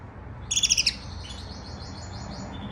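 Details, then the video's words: Male canary at home giving its first singing, a soft warbling subsong (riz-khooni), heard as a burst of five bright, high chirping notes followed by a faint, quieter twittering trill that fades out, with low background hum. "my canary’s first singing 😍😅. پسرم داره ریزخونی میکنه😁😅"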